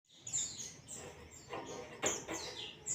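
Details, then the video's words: White-eye (pleci) singing in the ngalas style, used as a masteran training recording: a few high, thin whistled notes sliding downward, spaced by short pauses, with soft clicks and a faint background hiss. "zosterops bird sound"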